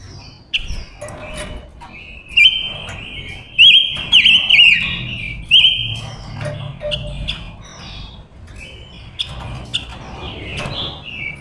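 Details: Female silver-eared mesia decoy calling wild males with spaced phrases of bright whistled notes and brief trills, loudest in the middle, with sharp clicks and faint background noise between phrases.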